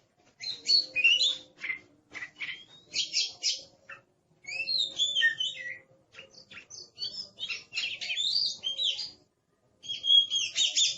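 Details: Aggressive kacer, the Oriental magpie-robin, delivering master song in rapid bursts of twittering, buzzy and whistled notes, separated by short pauses, with one quiet gap near the end.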